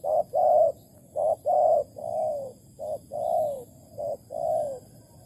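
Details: Spotted dove in Malaysia, recorded 11 August 2020 during bird trapping with bare bait. It gives paired coos, a short note then a longer drawn-out one, in four phrases at an even pace over a faint steady high hum.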